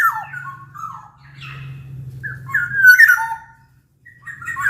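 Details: Big-bodied Sumbawa oriole, a black-naped oriole kept as a lively singing bird to prompt lazy orioles to join in: mellow fluty whistles mixed with rough, falling notes and a brighter rising phrase, with a steady low hum underneath.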